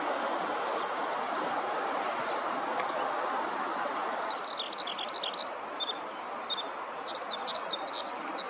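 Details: Eurasian skylark singing on the ground in a rice field, close up; a rapid, continuous stream of high chirps and trills starts midway, over steady broadband background noise.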